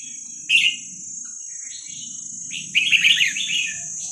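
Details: Young wild Vietnamese red-whiskered bulbuls, recorded for training young birds: one short sharp phrase near the start, then a longer rapid string of bright warbled notes, with a steady high tone and low hum throughout.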